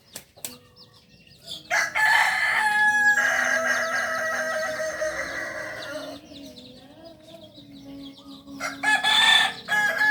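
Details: Kokok Balenggek singing rooster, a native breed of Solok raised on a farm, gives a long stepped crow of many repeated syllables lasting about four seconds, followed by a shorter burst; small birds chirp faintly in the background.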